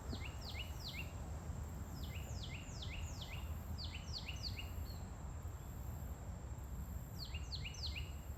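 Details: Birds give repeated series of sharp downslurred whistled notes, each finishing with a short lower click, in clusters of three to five, against constant low-frequency noise; recorded on 20 May 2023.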